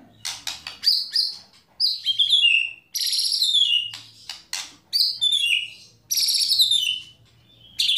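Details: White-rumped shama delivering kretekan and tembakan song to excite other shamas: dense crackling bursts ending in swooping downslurred whistles, repeated roughly every one to two seconds.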